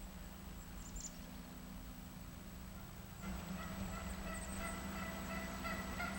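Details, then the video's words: Wild turkeys in windy lowland woods by a creek in South Carolina in March: after a few seconds of low wind rumble, a rapid, rattling gobble-like burst breaks in and carries on to the end. "Let's listen now to the turkeys in the lowlands around the creek."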